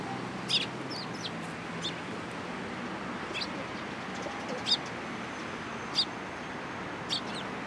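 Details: Sparrows being hand-fed at a Tenmangu shrine, 13 April 2023: a few sharp high chirps spaced over several seconds, partly masked by a fairly loud, steady background noise.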